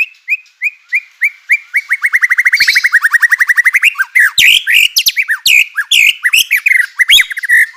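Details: White-rumped shama song used as a lure to provoke other shamas into singing, suited to morning use: rapid repeated rising notes that speed into a fast trill, then varied loud whistles, sharp chips and buzzy phrases.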